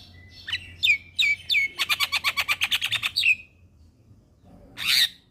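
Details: Javan myna (jalak kebo) tutor song for training young mynas: a few sliding whistles lead into a quick series of repeated buzzy notes, then a brief pause and a harsh rasping note.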